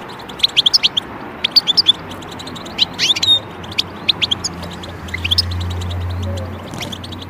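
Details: A European goldfinch calling, meant for taming birds: quick bursts of three to five high chirps in clusters, one short warbled note, and a low hum near the end.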